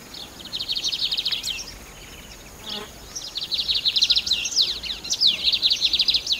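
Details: Song of a lined seedeater: a brief buzzy trill, a pause with a soft descending note, then a longer run of rapid rattling trills and sharp upslurred chips; steady hiss in the background.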